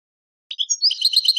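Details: Goldfinch tutoring song for young goldfinches and hybrids: a couple of brief whistled notes leading into a fast, evenly pulsed metallic trill, heard in a quiet recording.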